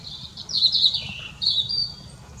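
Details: Robin singing in the Raaderwald at the turn of the year 2024: high, thin warbled phrases with short trills, a brief pause, then a drawn-out high whistle; faint low background noise.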